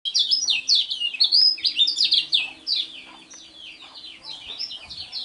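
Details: Lemon-bellied white-eye, a contest bird, in fast, lively song: a dense stream of high, sweet, twittering phrases that run on without pause and fade slightly toward the end.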